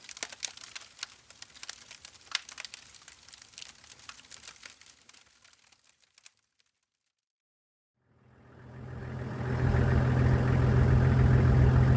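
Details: Scattered crackling and clicks fade to near silence, then a vehicle engine starts and settles into a steady low rumble.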